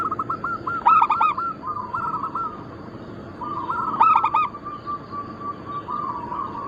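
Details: Zebra doves, a local Bangkok-cross line, used for luring and training birds. Two strong stuttered coos about three seconds apart overlap a near-continuous chorus of softer pulsed cooing from other doves.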